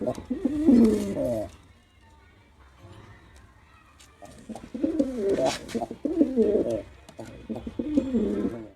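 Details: Throaty cooing from a male pigeon during his performance: one strong rolling coo, a lull of faint background noise, then a run of quick wavering coos.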